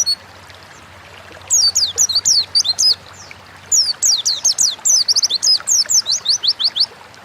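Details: Oriental white-eye, a caged songbird kept at home in Indonesia, singing in a fast run of high, thin, downslurred whistles; two bursts, each about one and a half seconds, separated by silence, with a faint low hum underneath.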